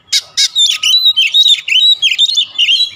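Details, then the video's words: Oriental magpie-robin opens with two loud rasping notes, then pours out a rapid chain of bright, swooping whistles with a thin steady tone underneath. "Kacer manapun dijamin cepat buka suara"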